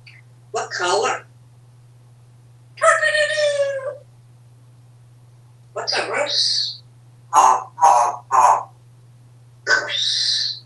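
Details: Male African Grey parrot, a happy and very talkative pet at home in Texas, chatters in word-like phrases, including a drawn nasal syllable and three quick clipped notes in a row, spaced by short silences, over a low hum.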